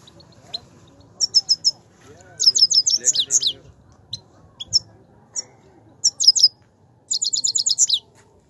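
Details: A Himalayan goldfinch delivers its song: clustered runs of sharp, very high tinkling notes, several fast trilling phrases separated by short pauses and scattered single chirps, against a soft low hum.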